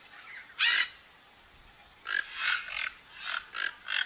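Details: Toco toucans foraging as a flock around a backyard in Brazil: one loud grating croak, a pause, then a quick series of four or five hoarse croaks over constant high hiss.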